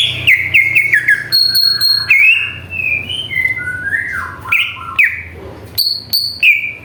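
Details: Provoking lure from a greater green leafbird (jamtrok): varied whistled phrases, some gliding down and others jumping up, mixed with thin, ringing high tones and clicks, delivered in a lively, continuous flow.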